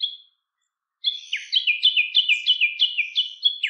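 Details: A Siberian long-tailed rosefinch feeding on tall goldenrod gives one brief opening note, then a quick run of high, downslurred whistled notes, about three per second; nothing else heard.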